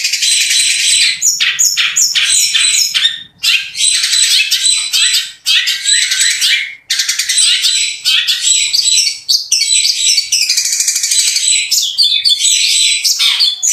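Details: Long-tailed shrike (cendet) in full show-bird song, delivering rough 'kasaran' phrases and rapid 'tembakan roll speed' bursts: loud, dense, high-pitched chattering, harsh squawks and fast trills in continuous bursts with only brief pauses.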